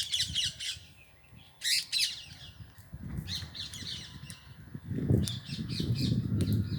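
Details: Indian green ringneck parrots at a parrot house: harsh, broadband screeching squawks in short bursts near the start, around the two-second mark and again near the end, over a low rumbling background.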